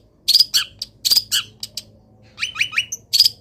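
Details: Caged long-tailed shrike singing in morning sunshine after being misted, uncovered. A busy jumble of high scratchy notes and short piercing whistles, then a trio of quick falling chirps, in a 'gacor full isian' style.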